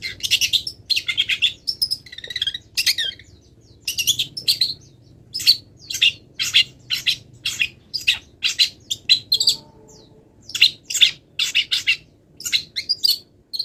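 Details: Moulting long-tailed shrike with wild-bird mimicry in its song: fast, varied chattering notes at first, then a run of sharp chirps at fairly even intervals.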